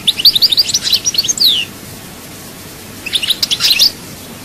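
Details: European goldfinch song in the chaayba style from Souk Ahras: two bursts of bright, high twittering notes with liquid slurs and a long falling whistle, separated by about 1.5 seconds of quiet.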